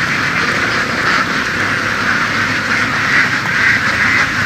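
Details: Laying ducks raised by herding them across fields in the western region, a crowded flock giving overlapping harsh quacks about twice a second over a low, steady engine hum.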